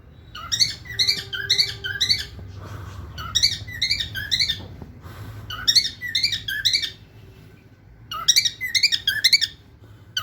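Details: A lutino cockatiel (Nymphicus hollandicus) sings in bursts of quick, chirpy whistled notes, pausing between phrases.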